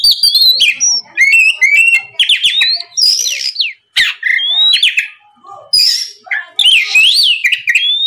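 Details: Oriental magpie-robin in full 'gacor ngeplong' lure song to draw answering song from novice kacer; varied whistles, rapid note strings and harsh buzzy elements delivered in dense phrases with short pauses.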